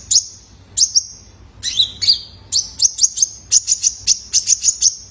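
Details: Juvenile male Kolibri Ninja, a caged bird, recorded as a lure for training other cage birds. It gives sharp, very high chirps, single and then in quick clusters, with thin trills between them, speeding up toward the end.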